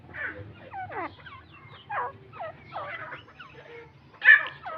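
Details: Partridge known as Irani teetar giving a clean run of raspy notes that slide downward, irregularly spaced, ending in a louder sharp burst. The background is quiet.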